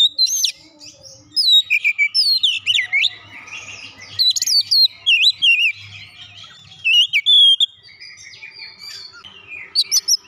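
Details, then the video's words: Oriental magpie-robin (kacer) singing a song filled with mimicry of the gelatik batu (tit): rapid, varied high whistled notes, sharp upslurs and twisting trills in bursts, with short pauses between phrases and a faint low hum beneath. "kicauan Kacer isian gelatik batu"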